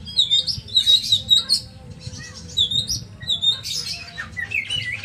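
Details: Oriental magpie-robin, a kept songbird, giving rapid high whistled notes and squeaky, buzzy chatter in choppy phrases, loud pulses roughly every few tenths of a second, over faint low background hum.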